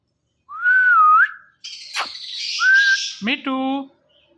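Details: Talking ringneck parrot making sounds: a long wavering whistle, a raspy crackling stretch, a shorter whistle, then a nasal voice-like syllable with rich harmonics.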